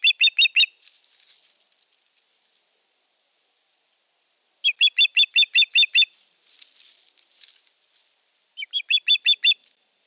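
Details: Ospreys at a nest near Eurajoki on 25 April 2022, during a male's sky dance and courtship of an unringed female, giving loud, high, piping whistles in quick bursts of four to eight notes, with soft rustling between the bursts.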